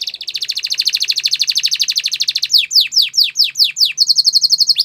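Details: Canary training song: a long, fast, even trill of rapid notes, then slower downward-sweeping whistled notes, then a short steady roll.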